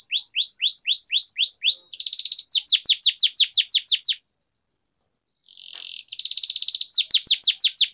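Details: Canary training song with long rolls: series of rapid downward-sweeping whistled notes interrupted by short buzzy trills, a silent gap of over a second, then more buzzy rolls and descending notes.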